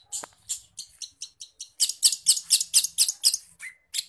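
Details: Lively singing long-tailed shrike, its song stuffed with forest-bird phrases and used for training caged birds: rapid series of bright, high, scratchy chirps, roughly two per second, growing louder, with one short thin whistle near the end.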